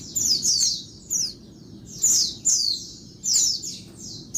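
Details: Noisy midday calls of a female Oriental white-eye, played to spur males into calling: sharp, high, downslurred chirps in short clusters about every half second, over a faint low hiss.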